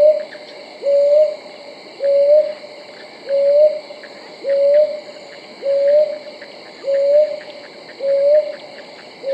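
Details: Repeated hooting of a brown hawk owl: eight mellow notes, each with a short upward slide, about one every 1.2 seconds, set against steady cricket trilling and faint ticking insects.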